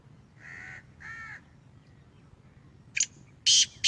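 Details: Sheedi-strain captive Black francolin: two drawn-out nasal tonal notes from another bird come first, then the francolin breaks in with sharp, harsh grating bursts at the close.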